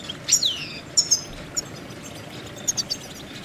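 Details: Goldfinch singing: a few high, sharp twittering notes, one slurred downward sweep, then scattered thin chirps over a low background hiss.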